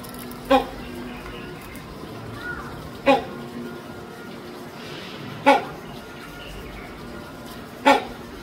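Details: Great Indian hornbill held at Taipei Zoo, Taiwan, giving four loud, abrupt barking calls with stacked low harmonics, spaced about two and a half seconds apart over a steady background hum.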